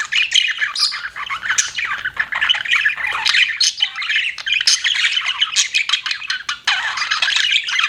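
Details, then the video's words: Pet budgies keep up an unbroken, high, rasping twitter mixed with squeaks and warbled slurs, steady in loudness, with a brief dip before the last couple of seconds. "CUTE PET BUDGIES CHIRPING"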